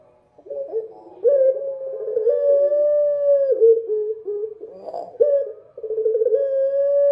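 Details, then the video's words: Night-time dove song: a run of drawn-out, level hooting coos, some swelling and dipping, with brief rough breaks between phrases, continuing steadily throughout. "suara burung puter malam hari//midnight show singing bird dove"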